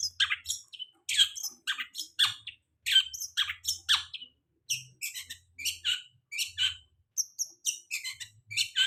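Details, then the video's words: Long-tailed shrike song used as a lure recording for birds just out of moult: dense run of harsh, scratchy, chattering notes and short buzzy bursts, tightly packed with brief gaps, a faint low hum beneath. "Pancingan cendet habis mabung pasti bunyi"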